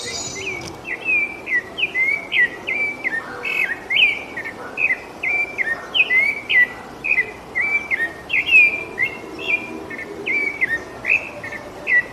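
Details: Sabiá-laranjeira, the rufous-bellied thrush of Brazil, in a long unbroken song of bright fluted whistles, quick phrases slurring up and down in close succession for twelve seconds, with quiet ambient noise underneath.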